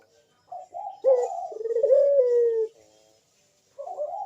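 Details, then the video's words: Single bekur phrase from a Barbary dove, used to spur other doves to call: rising short notes, then a long steady coo that falls slightly, followed by another hoot beginning. "suara Bekur besar super tajam manggung merdu mengundang bunyi"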